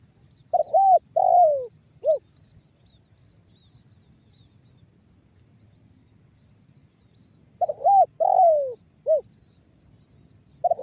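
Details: Spotted dove cooing in the banggo bocor style, used to lure other doves into calling. Mellow phrases of broken opening notes, a long sinking coo and one short final hoot come twice with a long silent gap, and a third phrase begins.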